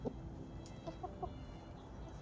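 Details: A rooster on a homestead, amid smoke from a nearby wildfire, gives soft, quick clucking notes, a few short pulses close together, telling his hens where to find food, over a low background rumble.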